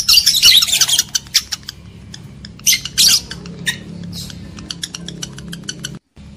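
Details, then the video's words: Lovebird sounds meant to raise breeding excitement in males and females: a long harsh screeching burst opening, then scattered sharp squawks and thin high chips over steady low hum, ending in a brief silence. "AUDIO PANCINGAN UNTUK MENAIKAN BIRAHI EMOSI JANTAN DAN JEBOL BIRAHI LOVEBIRD BETINA"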